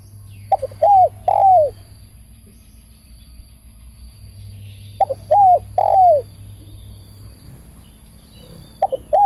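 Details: Loud cooing from a spotted dove used for decoy trapping: phrases of brief notes then drawn-out downslurred coos, repeated about every four seconds, with a third phrase starting at the close. A soft low hum runs throughout.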